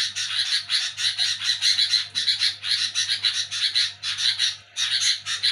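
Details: Night-time harsh chatter of a sooty-headed bulbul, noisy while people sleep: dense, scratchy bursts repeated rapidly for over five seconds, one brief gap near the end, over a low constant hum.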